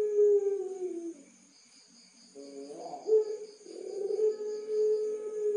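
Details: Pelung-type Barbary dove, caged in Tulungagung, Indonesia. A deep, sustained coo trails off into a pause, then a brief rising note leads into a loud, long, even-pitched mellow coo that carries to the end.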